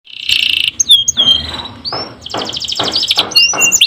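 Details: Canary singing on a tutor recording meant to stimulate canaries that are reluctant to sing: a steady high whistle, then sliding whistled notes and a series of fast, bright, buzzy trills and chirps.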